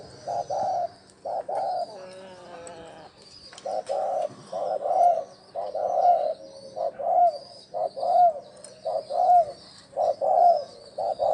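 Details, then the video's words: Spotted dove giving lure coos to attract wild doves: about a dozen low, hollow coo notes in uneven groups, with a faint whistled phrase from another bird and a continuous high hiss behind. "Tiếng chim cu gáy gù gọi hay cực chất dùng kích bổi gù kich mồi"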